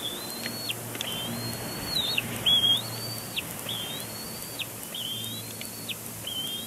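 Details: Bald eagle nestling at Big Bear Lake complaining at its father in April 2022. A steady series of high whistled squeals, each level or gently rising then dropping off sharply, about six in under seven seconds, with a faint low hum.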